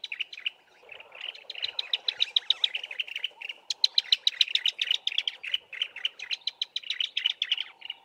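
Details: A pair of bar-throated apalises sings a duet in low bushes, the deeper-toned male dominating. A dense, fast run of sharp high chirps speeds up and continues for eight seconds over faint low whistles.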